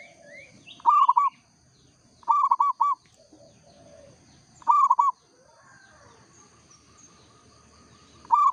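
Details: Local zebra dove repeating short phrases of three to four bubbling coos roughly every two seconds, with soft low notes and faint other bird calls between.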